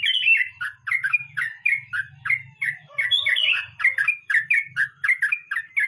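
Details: Rolling 'mbonang' song of a sooty-headed bulbul: rich, liquid, gurgling notes in rapid succession, each phrase dipping and rising, over a soft low rumble, with a brief lower warble midway.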